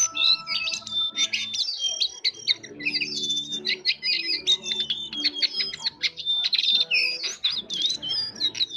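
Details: Jongkangan bird in full song with a soft ngeriwik twittering: fast, crowded bursts of sharp high chirps and thin whistles, packed tightly with few pauses, over a faint low background hum.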